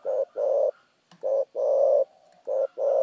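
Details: Spotted dove giving rapid "thúc gù" cooing: deep, steady coo notes in quick succession, a short coo leading into a longer drawn-out one, with brief gaps between phrases and a faint click in the middle.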